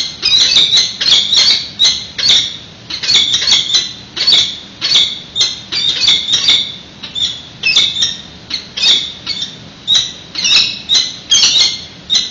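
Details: Prey delivered to the incubating female at a San Francisco peregrine nest on a live webcam. Loud, grating squawks come in tight repeated series for twelve seconds, with brief gaps between bursts.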